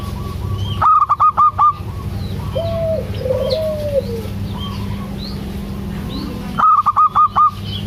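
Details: A female local zebra dove calling the male gives two bursts of five loud, rapid notes at the start and end, with faint, low, drawn-out coos in between.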